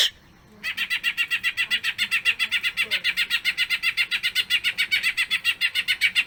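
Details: Greater green leafbird (cucak ijo) in full 'gacor' voice, giving a long-duration 'bongkar isian' song used to prompt other green leafbirds to sing. After a brief silent start, rapid buzzy chirps repeat about four per second, steady and unbroken.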